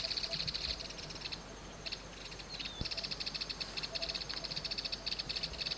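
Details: A family of yellow-eyed babblers perched on top of grass at Dakdam, Mondolkiry province, giving quick runs of thin, high ticking notes in bursts, with a brief clear whistle partway through.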